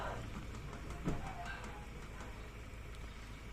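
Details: Low vehicle and engine rumble with a brief murmur of voices; no animal calls stand out.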